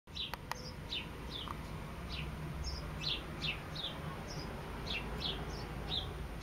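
A sparrow gives a steady run of short, bright, downslurred chirps, about three a second, over a low background rumble.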